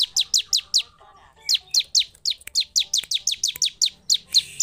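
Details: Bar-winged prinia used to provoke other prinias, singing short groups of sharp, high, downward-sweeping chirps, a brief pause, then a longer even run of the same notes.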